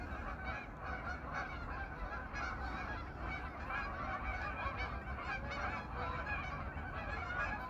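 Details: Geese, a flock of several hundred back on their pond on an autumn evening, honking in a dense, unbroken chorus of overlapping nasal calls, with a steady low rumble underneath.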